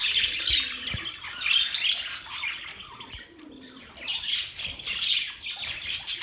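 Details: Budgerigar song tied to mating: chattering warble of squeaks, buzzy notes and quick chirps, softening briefly midway before resuming with bright repeated twitters.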